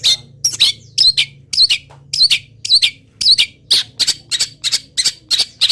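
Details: Local long-tailed shrike in moult, still singing a song full of wild bird mimicry; a fast run of grating, squawky notes with short whistled inflections, nearly two per second, over a faint low drone.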